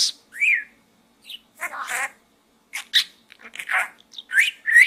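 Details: Indoor pet budgie chatters in a small gourd: a rising whistled note, then raspy, word-like mutterings and squeaky warbles in quick clusters.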